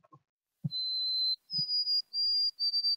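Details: White-throated Sparrow call, likened to the mockingjay signal from The Hunger Games but without dropping to a last note; pure whistles, one long lower tone then three higher sustained notes, with a few soft low thumps between.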